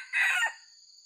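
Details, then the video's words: White-legged red junglefowl used for luring, giving a short, harsh, broad crow burst of under half a second that fades quickly, with steady high-pitched insect hum continuing afterwards. "MIKAT AYAM HUTAN ORI KAKI PUTIH"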